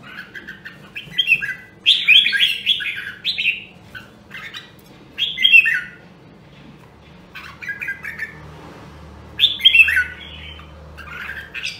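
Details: Red-whiskered bulbul from Nam Dong, Hue, sung for voice training to spur fighting song: several separated phrases of warbled, slightly harsh notes spread over the recording, with quiet gaps and low hum.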